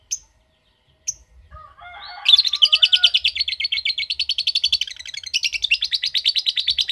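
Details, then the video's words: Two isolated high chirps and some lower warbling notes, then a ngetik-type lovebird breaks into a long, steady ngekek: a rapid, rattling chatter of evenly pulsed notes running unbroken for nearly five seconds. "Love Bird Ngetik Cara Cepat Memanggil Love Bird Agar Ngekek Panjang"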